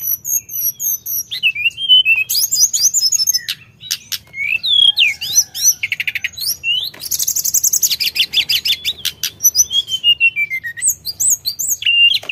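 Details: Sooty-headed bulbul delivering a long, varied song of very high whistles, downslurred notes and rapid buzzy rattles, packed closely with hardly a pause. Only a soft low hum is heard beneath it.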